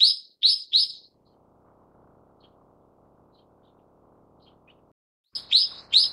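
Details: A Brown-eared Bulbul of the subspecies Ixos amaurotis harterti gives loud, shrill, harsh calls in two bursts of three, with a quiet pause between them.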